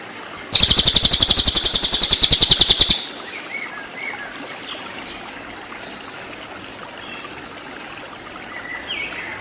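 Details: Cililin singing, recorded as training song for white-rumped shama: a sharp, buzzy, rapidly pulsed high trill of about two and a half seconds, followed by quiet background with a few faint thin whistles from other birds.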